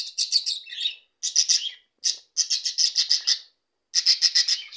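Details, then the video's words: Budgerigars singing: busy runs of scratchy chirps and warbling chatter in bursts of about a second, separated by short silences. "Periquitos australianos cantando"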